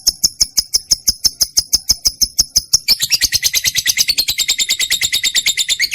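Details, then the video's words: Trained lovebird used as a training call for pet birds: evenly spaced sharp high ticks at first, then a switch to a denser, buzzier chatter of shrill chirps repeated several times a second. "lovebird mp3 cocok buat pancingan burung kesayangan sambil ngopi"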